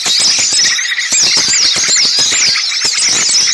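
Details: Noisy lure recording of small birds used to attract birds for trapping: a dense, continuous chorus of high, squeaky chirps and twittering trills with many overlapping callers and no pauses.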